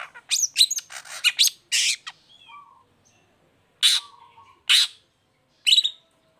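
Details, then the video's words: Long-tailed shrike lure song for lazy or moulting shrikes: a fast opening run of scratchy, chattering notes, then a pause and three spaced harsh rasping bursts, with short low whistles between. "Cendet Gacor Buka Krodong Pancingan Khusus Buat Cendet Loyo Malas Atau Lagi Mabung Agar tetap Bunyi"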